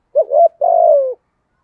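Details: One cooing phrase from a lure spotted dove with the 'thổ' voice, meant to excite wild doves: a short, bouncing double coo, then a sustained, gently falling hollow note, cut cleanly against silence.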